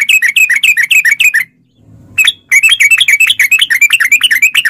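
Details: Sooty-headed bulbul used to prompt caged bulbuls to sing: rapid, continuous bubbling notes with sharp slurs, briefly interrupted near the middle before the fast run resumes.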